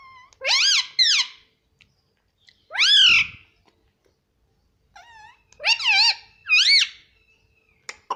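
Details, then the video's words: Cute pet Indian ringneck parrot talking nonstop indoors, repeating rising-falling harmonic syllables like "mummy" in pairs, with short pauses between phrases. "non stop talking mummy || papa ka pyara mithu || cute Indian ringneck parrot"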